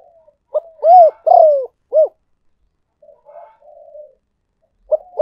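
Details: Luring call of a spotted dove: a sharp short note, a rounded coo, a long descending croo and a short arched coo. Quiet soft gurgles follow, then the phrase begins again.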